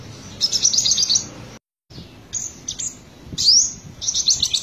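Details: Olive-backed sunbird of the subspecies buruensis, from Buru island, South Maluku, singing actively: short bursts of thin, high, rapid twittering notes with a brief upward sweep, separated by pauses.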